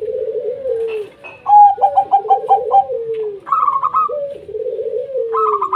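A zebra dove sings low, soft coos, then a quick run of staccato clicking notes that end in a higher, ringing coo. The phrase repeats in an otherwise quiet setting.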